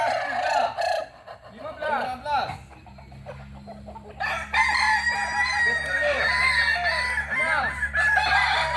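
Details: Several overlapping crows from native Kokok Balenggek fowl of Solok, West Sumatra, made of chains of arched, bouncing notes, with a quieter lull midway and a steady low hum behind.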